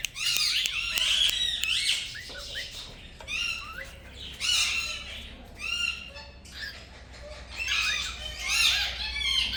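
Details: Pet green Indian ringneck parakeet talking: dense bursts of harsh, harmonic squawks and chattering syllables, some rising and falling, tumbling together in uneven runs with short pauses between phrases.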